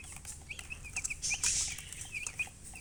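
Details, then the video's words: Chicks calling in quick high peeps, bending and falling in pitch, several in a row, interrupted midway by a brief burst of rustling or flapping noise. "Baby "Chicks Chirping" Sound"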